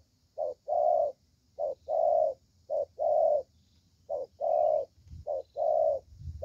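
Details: Young spotted dove, good-voiced, singing 'thổ' style: five short-long coo pairs in steady succession, roughly one each second, mid-pitched and mellow, with a faint rumble near the end.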